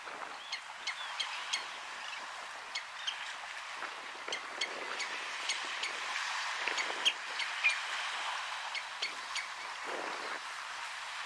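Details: Red-necked Phalaropes on Flatey, Iceland, in June 2019 give short, sharp, high chipping notes at an irregular pace, roughly one or two a second, over a steady hiss of wind or water.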